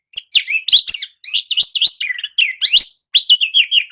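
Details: Oriental magpie-robin bait song to make dull birds answer and sing, delivered as a fast, nonstop string of loud swooping whistles and chattering notes with only brief pauses.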